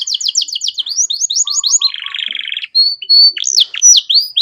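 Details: Canary song meant as a master recording to teach other caged songbirds: rapid chattering notes, a rolling buzzy trill, then clear sustained whistles and sharp upward-downward sweeps.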